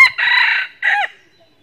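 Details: Red junglefowl crowing during trapping in northern Vietnam with a decoy hen as lure: a loud, harsh two-part crow, a broad half-second first note followed after a short gap by a shorter, falling second note, with a quiet background.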